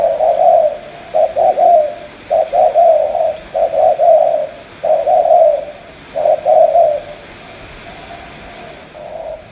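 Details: Spotted dove from Cà Mau, Vietnam, cooing in low, hollow phrases of two or three notes, each phrase broken by short pauses, steady over several seconds.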